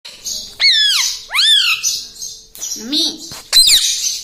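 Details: Pet parrot talking, taught words such as mummy and papa: two drawn-out, rising then falling harmonic calls, a low wavering voiced phrase, then a sudden harsh broadband squawk.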